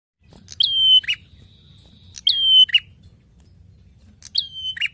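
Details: Prinia singing, recorded as a master track for training songbirds: three phrases, each a sharp high note sliding into a long steady whistle and ending in a lower buzzy burst, with quiet pauses between.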